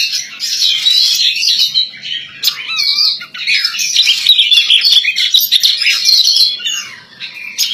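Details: Sustained song from a female Oriental magpie-robin, rapid high chatter broken by clear whistled slurs and short dips, carrying on for several seconds with brief breaks.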